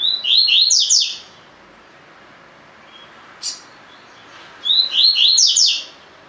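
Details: Double-collared seedeater in a cage delivering tui-tui training song: two loud phrases of quick cascading slurred notes about four seconds apart, with a single sharp click between them.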